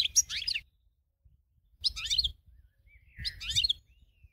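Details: Winning goldfinch used as a training model for other birds, giving three short liquid, chattering twitter phrases roughly one and a half seconds apart, a low background rumble beneath.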